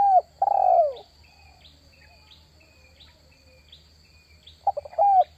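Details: A spotted dove luring call ends with long falling coos, then a quiet gap with faint distant high chirps, before a new phrase of stuttered notes and a coo starts.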